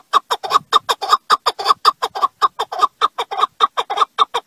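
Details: Partridge giving a rapid run of harsh, clucking chuck notes, each sharp and broadband, repeated roughly four to five times a second in a steady chattering series, loud and close against a quiet background.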